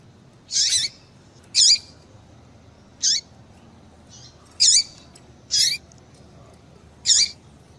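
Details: Yellow-bellied Seedeater female giving high chirps with downward-hooked tails, repeated roughly every second at an uneven pace; played to make a male papa-capim sing.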